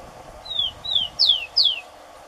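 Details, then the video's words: Tico-tico, the rufous-collared sparrow of Brazilian gardens and countryside, gives one song phrase: two thin, gently falling whistles, then two brighter, steeply downslurred notes, all clear whistled tones over a quiet steady hum. "Tico-tico Cantando Muito"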